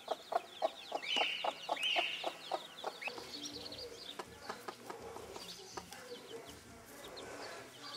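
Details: Bantam broody hen among her young: quick clucks and high chick peeps for the first few seconds, then softer scattered clucking with quieter peeps.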